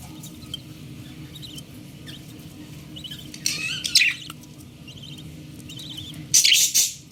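A young budgerigar gives faint, scratchy high chirps, then a louder burst of rasping squeaks near the end.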